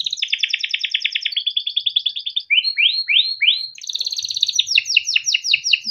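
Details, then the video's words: Training song of a timbrado canary: long fast rattling trills, a run of four rising swooping notes, then bright high rolls of quick doubled notes. "Timbrado canary singing beautiful melodic songs for training and listening"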